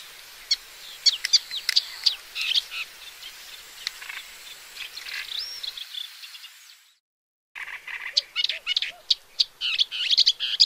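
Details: Dense, rambling chatter of high chips and short whistles from a paddyfield warbler, with a short break, then a renewed burst of sharp clicking notes.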